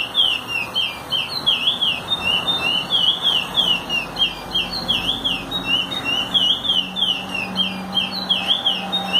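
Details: Chestnut-bellied seed finch teaching song, a long flowing series of bright whistled notes swinging up and down in fast wavy phrases, with a faint low hum underneath.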